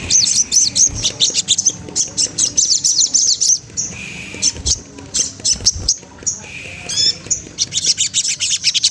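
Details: Rival-provoking song of a spotted Magpie-robin. High chattering phrases run in fast, dense bursts, with brief pauses and some harsher squawky notes, then the busy high chatter resumes.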